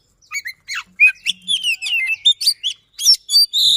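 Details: Oriental magpie-robin, or kacer, pouring out a fast, persistent lure song to coax silent birds: short whistled notes building into rolling warbles and sharp upslurred shots, ending in a scratchy burst.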